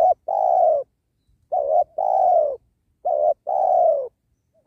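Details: Spotted dove cooing beside a sacred tree during trapping to lure wild doves; a rich 'penguku' coo with many fill notes. Three phrases, each a short note followed by a longer, low, slightly falling coo, with quiet gaps between.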